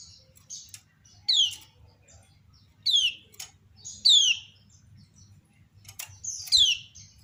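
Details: Female kecial kuning, the lemon-bellied white-eye, prompting many others to answer: four strong down-slurred whistles spaced one to two seconds apart, with scattered quiet high chips and ticks in between.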